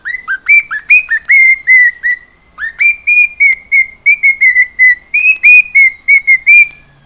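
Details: Cockatiel kept as a house pet, singing: a lively run of clear, short whistles, some rising sharply and others held and gently falling, repeated almost without a break. No other clear sounds.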